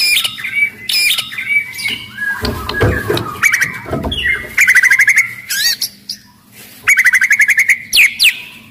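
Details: Loud, agile white-rumped shama in full song, meant to spur other shamas to sing and fight; whistled phrases interrupted by a scratchy noisy stretch, then bursts of rapid rattling trills and rising whistles.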